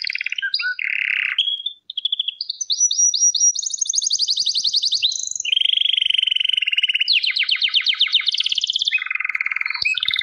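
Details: A canary sings varied trill tours: short chirps, climbing rapid rattles, a long low rolling trill and a very fast high rattle, the song running on without breaks.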